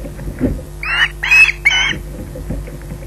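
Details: Osprey at Loch Garten, waiting for food, utters three harsh squawks in close succession amid soft rustling and thumping from the bird moving about, with a low hum behind.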